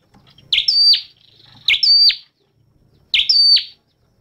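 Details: Red-headed flowerpecker singing: three loud, high, buzzy notes, each a quick upward sweep that levels into a bright tone then drops sharply. They come about once every one and a half seconds over a quiet background.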